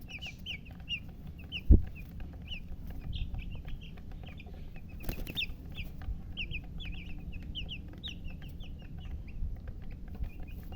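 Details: Chicken chicks chirping: many quick high peeps, some rising and some falling, in an almost continuous chatter, with one loud knock early on and low background hum.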